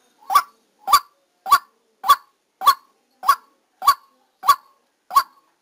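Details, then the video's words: Trapping decoy white-breasted waterhen in Vietnam calling nine strident honks in a row, each brief and harsh, evenly timed under two per second, in clean silence between notes. "Tiếng Quốc Mồi"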